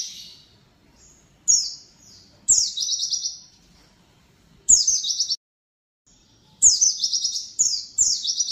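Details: Oriental white-eye of the buxtoni type, meant to prompt kept birds into full song: crisp, high-pitched warbling phrases that slide downward, arriving in irregular bursts separated by quiet.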